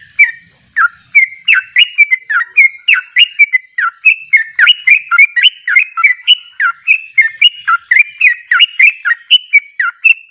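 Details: Sooty-headed bulbul (trucuk) singing in the rapid ropelan style: a long, unbroken stream of short, bright whistled and slurred notes, three to four per second, rising and falling in quick alternation.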